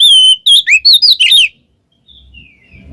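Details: Short phrase of white-rumped shama ngeplong ngekek song, used to lure a quiet shama: a long clear whistle followed by four quick slurred notes, then near silence with faint distant whistles.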